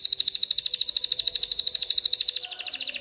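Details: Excited canary song meant to stimulate females to mate and build a nest, here a continuous rapid trill of high, evenly pulsed notes that slows slightly and softens near the end.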